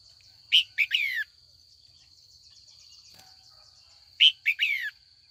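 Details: Female red-whiskered bulbul calling in the afternoon to provoke old wild-caught males into competitive song; two brief bursts of clear whistled notes sliding downward, about four seconds apart, over a steady high-pitched tone.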